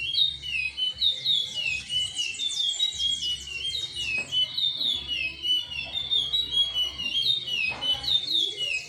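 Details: Chestnut-bellied seed finch (curió) of the Timbira song style, singing continuous whistled phrases that rise and fall between mid and high pitch, with steady low hum beneath.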